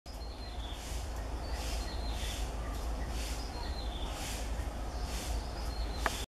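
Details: Black-winged stilt in Hong Kong giving sharp, high, yelping notes roughly once a second, somewhat distant, over a heavy low rumble of wind.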